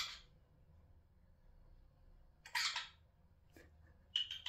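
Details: Eurasian jay kept indoors in a house, behaving like a person, walking and 'talking', giving short, harsh, rasping bursts, a few spaced over several seconds, in a quiet room.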